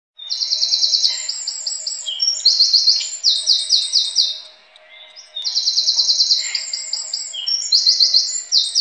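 A wren pours out a loud, high, rapid song of trills and rattling notes in two long bursts, separated by a short pause.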